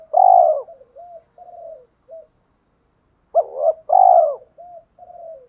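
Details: Decoy spotted dove giving fighting coos meant to trigger rivals to answer; two strong, full coo phrases, each trailing off into soft short low notes.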